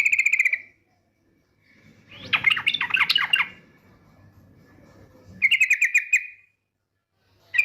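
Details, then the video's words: Lure call of a female yellow-vented bulbul, used to make other birds sing: a quick chattering trill, a bubbly warbled burst, then a second fast trill of evenly spaced notes. "TRUCUK BETINA NGETIR panggilan sadis,pancingan agar BUNYI jadikan burung trucukan BUNYI GACOR"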